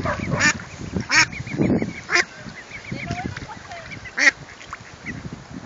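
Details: Mother duck with ducklings in Strathacona park; several loud harsh calls around 0.5, 1.2, 2.2 and 4.3 seconds over a background of soft, high chirping and light ambient noise.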